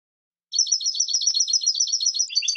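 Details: European goldfinch pouring out a rapid, even run of liquid chirping notes in a continuous twittering trill, slightly lower notes at the end.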